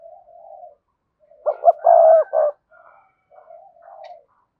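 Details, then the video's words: Cườm sa spotted dove, cooing to rouse male birds: a soft low coo, then one loud phrase of short pulses and a long coo with a trailing note, ending in quiet murmured coos. "cu gáy thúc gù CƯỜM SA, cu gay kich boi nhanh noi gù"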